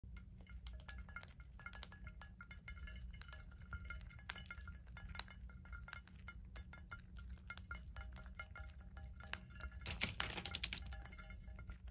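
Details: Faint tinkling chimes and light clinks over a low hum, with no animal voice.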